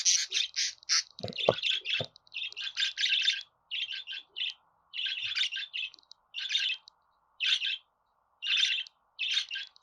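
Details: Budgerigar chattering steadily in fast, scratchy chirps, crowded at first and then in evenly spaced bursts, with a few clicks early on.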